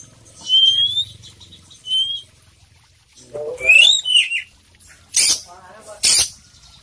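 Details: Oriental magpie-robin (kacer poci) in gacor song with isian: two thin steady whistles, a pause, then a jumbled rising-and-falling warble, followed by two sharp harsh bursts.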